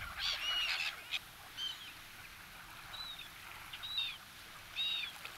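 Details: Black-headed gulls in winter, white-headed, at a bird-feeding spot in Kasumigaura Park, Tsuchiura, Japan, where people feed them, give short, harsh, slightly downslurred calls, several overlapping at first, then single calls about every second, over faint hiss.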